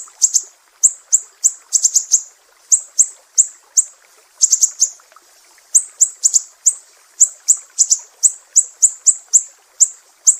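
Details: Sharp 'besetan' notes of a Sumatran mangrove whistler, used as master audio for songbird training: high, clipped chips in bursts with a brief pause midway, some notes paired, little else audible.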